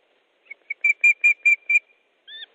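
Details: Osprey calling at its nest in Estonia, afternoon of 3 August 2014, fish being delivered: a series of about six clear, piercing whistled notes in quick succession, ending with a drawn-out slurred whistle.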